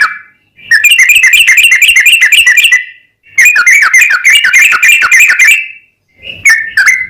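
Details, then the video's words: Lure song of a yellow-vented bulbul, meant to prompt other bulbuls into singing: rapid chattering phrases of clear, liquid whistles, three long runs broken by brief silences. "SUARA trucukan gacor ROPEL PANJANG pancingan trucukan agar bunyi"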